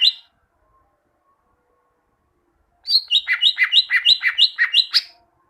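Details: Greater green leafbird, tutor song for training birds to sing: one short note, a silence, then a rapid chattering series of about ten paired notes that alternate high and lower pitch.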